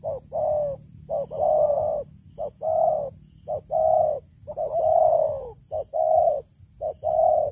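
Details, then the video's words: Spotted dove kept as a long-serving decoy, cooing steadily and loudly, alternating short clipped notes and fuller sustained coos in a regular rhythm, with faint hum and low background noise. "Terkukur Pikat Lama, Selalu ok Suara besar"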